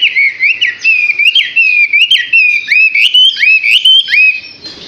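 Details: Six-month-old Chinese hwamei singing a continuous rich whistled song of looping, rising and falling phrases, each note swooping upward, delivered in rapid bursts with brief gaps.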